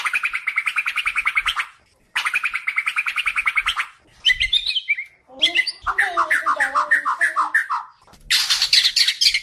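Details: White-crowned shama song used for training other birds: repeated rapid trilled bursts around mid-high pitch, then varied harsh phrases and mixed chattering notes, separated by short pauses.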